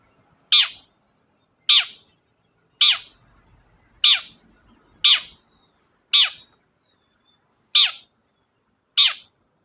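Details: Long-tailed shrike heard in a lure meant to make silent shrikes sing: sharp, harsh, downward-slurring notes repeated roughly once a second at a steady pace, with quiet gaps between.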